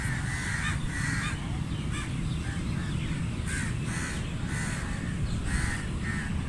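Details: Crows while feeding, giving harsh caws in short bursts spaced about half a second to a second apart, over a steady low rumbling background noise.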